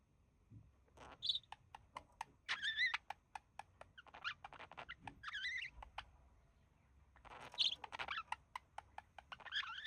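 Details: Pet male budgerigar relaxing beside its mate, mimicking human speech; rapid clicks and ticks mixed with short whistled, speech-like warbled phrases in bursts, with quiet gaps between.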